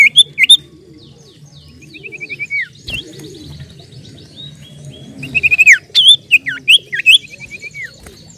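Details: Common iora singing actively for luring birds: scattered whistles early on, then a burst of rapid looping, rising-and-falling whistled notes. Dense chirping from other birds and a low hum run underneath.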